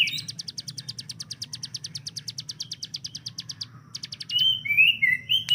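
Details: Hill prinia kept to train speed in other cage birds: a fast rattle of about three sharp notes per second running nearly four seconds, then loud whistled slurred phrases.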